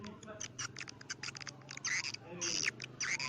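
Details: Call of swiftlets used to lure them into nesting houses: rapid ticking clicks building into louder buzzy twitters near the end.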